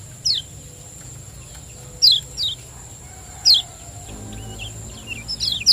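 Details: Lure recording of a Lombok lemon-bellied white-eye's 'ciak joss' calls, used to get reluctant caged birds singing: thin descending chirps in ones and pairs at irregular intervals, a constant high whine, and some low clucking noise late on.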